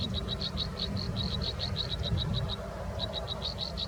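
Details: Robin chicks being fed in their nest: quick trains of short, thin high notes, pausing briefly before resuming, over a steady low-pitched background hum.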